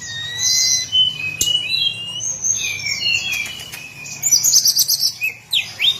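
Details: Hill blue flycatcher singing a varied run of clear high whistles, some rising and some falling, ending in quick twittering bursts, with a brief sharp knock partway through.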